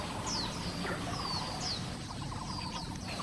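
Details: Oriental magpie-robin, introduced in Taiwan, singing beside a mountain creek in Xinyi District, Taipei, on July 18, 2024, filmed with a Canon SX740 HS: several sharp, high, downslurred whistles over steady water roar and a faint lower rattling trill.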